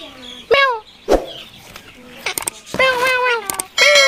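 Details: A rose-ringed parakeet (Indian ringneck) talks in short, nasal, speech-like phrases with harmonic-rich vowels, broken by sharp clicks and knocks.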